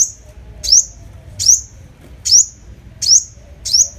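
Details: Lure recording of a five-coloured sunbird: bright, thin upward-slurred notes, each followed by a short ringing tail, repeated roughly every 0.8 seconds. Six notes against a quiet, low hum.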